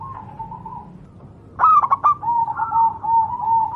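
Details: Wild local zebra dove, Javan perkutut, recorded for training other doves: a soft wavering tone, then one quick burst of four clipped coos that runs into a longer, gently undulating note.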